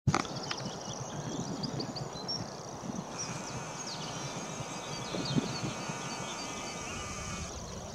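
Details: A common grasshopper warbler reels from nettles and brambles at Middleton on 21 April 2016: a thin, even, insect-like trill held without a break, with other birds chirping over it and heavy wind rumble underneath.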